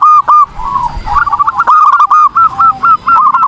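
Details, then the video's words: Zebra dove, perkutut, in full energetic song for bird-training use: dense, fast strings of short rolling coos at even mid pitch, almost continuous, with faint high chirps from other birds behind. "PERKUTUT GACOR || COCOK UNTUK MASTERAN || SUARA BURUNG PERKUTUT"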